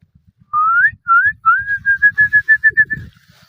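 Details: Indian ringneck parrot, or rose-ringed parakeet, gives one long rising whistle, then a quick run of about nine short, evenly spaced whistled notes that level off. Faint low clicking sounds underneath.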